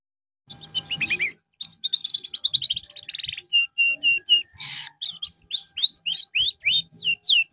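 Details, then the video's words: Canary recorded for therapy after a drop in singing form, delivering a long continuous song: a fast rattling trill, flat whistled tones, a harsh buzz, then a rhythmic series of sharp swept chirps. "TERAPI BURUNG KENARI SETELAH AMBROL"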